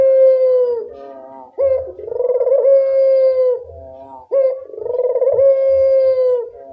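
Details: Vigorous puter dove calling, used to stimulate quiet doves: sustained resonant coos with a sharp onset and pulsing middle, roughly three per seven seconds, with soft lower connecting notes and faint low knocks.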